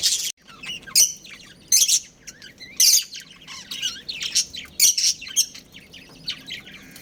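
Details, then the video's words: Budgerigar breeding pair kept at home, giving loud sharp chirps roughly every second between softer twittering warbles, a steady stream of high, scratchy chatter. "Adorable Budgies Chirping Sounds"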